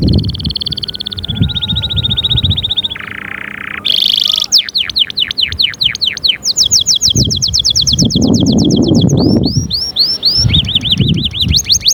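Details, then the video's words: Canary singing varied tours: a steady high trill, a lower buzzy stretch, a burst of very high notes, then long runs of rapid repeated whistles and chips, with some low background rumble. "تحفيز لطيور الكناري"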